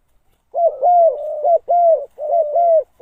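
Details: Spotted dove (Spilopelia chinensis) used as a decoy to call wild doves in gives a run of soft, hollow coos, each slightly rising then falling, strung together almost without pause in a rolling phrase.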